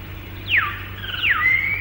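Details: Hill myna (tiong) in Malayan rainforest, late 1950s to early 1960s, calling loud and clear in the calm of the morning: two whistles, each sweeping steeply down then levelling off, about three-quarters of a second apart, over a low steady hum.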